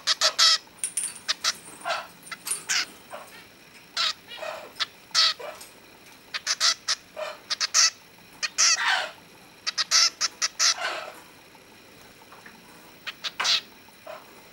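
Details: A 14–15-day-old cockatiel chick, owner suspects a young male trying to sing like his father, gives scratchy, rasping chirps and squawks in uneven bursts of one to several notes every second or so.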